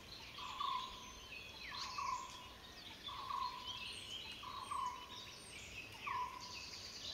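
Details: A paradise flycatcher pair calls to each other while nest-building, the male fetching material and the female building, trading places soon after calling. Five short, slightly falling whistled notes repeat about every 1.4 seconds over a steady insect hiss, with faint higher chirps from other birds.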